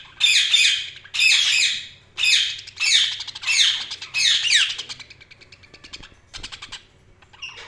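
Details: Budgerigar chirping in six loud, harsh, buzzy warbled phrases of about half a second each, given in quick succession, followed by quieter clicking chatter.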